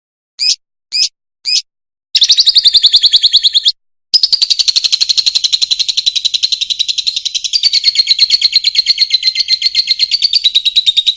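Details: Fischer's lovebird song for training young birds: three short high chirps, then long runs of rapid buzzy chattering, broken by one brief gap and continuing steadily to the end.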